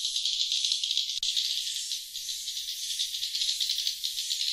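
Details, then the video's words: Swiftlet lure call for attracting wild birds: a steady, dense, hissing high chatter with rattling texture, one sharp click near the first second, and faint low thumps beneath. "Suara Panggil Sriti Luar"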